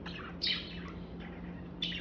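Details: Pet budgerigar, one of several kept indoors (three males, one female), gives brief, scratchy high chirps while its owner talks to it, over a steady low electrical hum.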